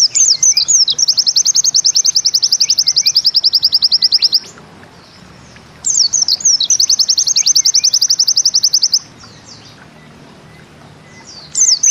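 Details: High, rapid 'nembak ziperrr' song of a pleci bustomi white-eye, described as easy to imitate: two long rattling runs of fast, evenly spaced sharp notes, each about three to four seconds, separated by a quiet gap, with a third phrase beginning at the end.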